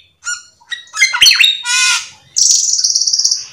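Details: Energetic cucak keling song used as a lure to set other cucak keling singing: scattered chirps, a tangled burst of whistles, a broad harsh rasp, then a long high pulsing buzzy trill.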